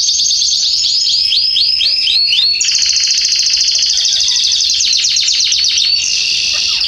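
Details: Canary song recorded in a garden in September 2020, loud and continuous: a string of slurred, arching notes runs straight into a rapid rolling trill that carries on, shifting slightly in pitch, until the end.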